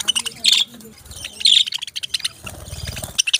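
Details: Chirping parrots give quick high chirps, loudest in two bursts early on, then softer scattered chirps over faint low rumbling.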